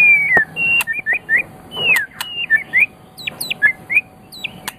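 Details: White-rumped shama of Medan stock, a champion bird, singing varied whistles: a long falling note, short upslurred chirps, sharp clicks and thin very high notes scattered through the phrase.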